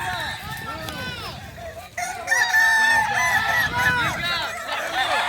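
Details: Kukuak balenggek roosters at a Solok Regency dairy farm contest crow over one another. A clear long level crow stands out midway among arched notes from other birds, with people talking in the background.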